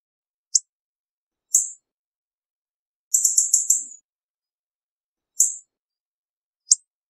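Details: Hawfinch giving sharp, very high, clipped ticking calls at irregular intervals, with one longer stuttering burst of rapid high notes in the middle, against an otherwise silent background.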